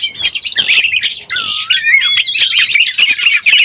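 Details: Breeding-condition Oriental magpie-robin used as a lure: loud whistled phrases with a clear long downward-then-rising slur midway, mixed with scratchy chattering notes in quick succession.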